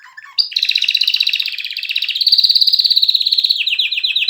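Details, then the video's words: Canary singing a long, loud, fast rattling trill that rises slightly midway, then breaks into a quick series of descending slurred notes. "کنری مست/خواندن کناری مست/قناری با صدای عالی/KANARYA sesi"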